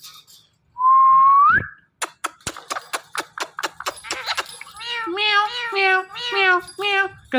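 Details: Talking ringneck parrot gives a loud rising whistle, then a string of sharp clicks, and ends with a series of nasal, meow-like harmonic syllables in quick succession.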